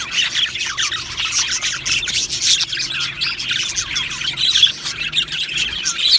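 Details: Australian budgies kept as a colony in an aviary, a constant chorus of overlapping chirps, short rising and falling warbles and squawks from many birds together.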